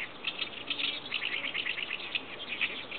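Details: Singing Oriental reed warbler joined by a chorus of other birds, giving a continuous run of grating, clipped syllables repeated quickly and unevenly throughout.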